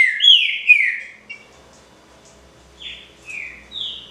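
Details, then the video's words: Trinca-ferro, the green-winged saltator, in pixarro original style: a loud burst of slurred whistles opens, then after a pause three clear descending and rising whistled notes follow at steady intervals. "TRINCA-FERRO PRECIOSO (PIXARRO ORIGINAL)"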